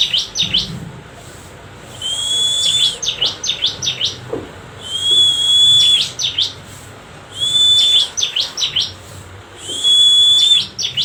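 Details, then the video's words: Bar-winged prinia song: clusters of quick, high, dipping chirps alternating with a long steady high whistle and hissing noise, the pattern recurring about every two and a half seconds. "BURUNG CIBLEK Mu bakal ..langsung ikutan bunyi"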